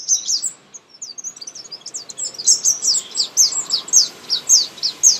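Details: Baby birds being fed, close up: a rapid, insistent series of very high, thin downslurred chirps, building into steady pulses about twice a second.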